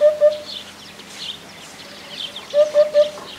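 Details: Eurasian Hoopoe in Poland giving its far-carrying, low, warm, slightly bass 'oop-oop-oop' notes: a pair, a pause, then a set of three. Faint higher bird calls sound in the background.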